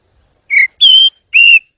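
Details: Oriental magpie-robin song for training birds: three separate pure whistled notes, the first short and lower, the next two longer and steady, spaced about half a second apart, with no other sound.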